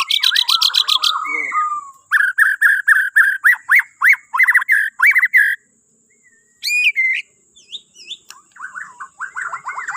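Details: White-rumped shama from Borneo, used as a morning prompt for other birds: bursts of fast repeated sharp notes, then a series of loud rhythmic whistled phrases, a pause, and scattered rising and falling whistles over a constant high hum.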